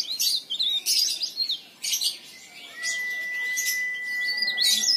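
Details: Energetic leaf warbler song meant to coax other leaf warblers into singing; thin, high twittered phrases in bursts, then a long, even, sustained whistle tone carrying to the end.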